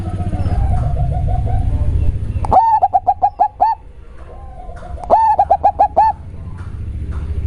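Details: Local zebra dove, described as having a very deep, bassy voice, giving two cooing phrases. Each is a rising opening note followed by a quick run of about six clipped, even coos. A softer series of low notes comes first, over constant low hum.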